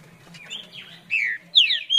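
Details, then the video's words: Green-winged saltator singing in the farrapo style: a few soft notes, then two loud, clear whistled phrases sliding downward, the last with a bright descending slur. "Trinca Ferro Farrapo"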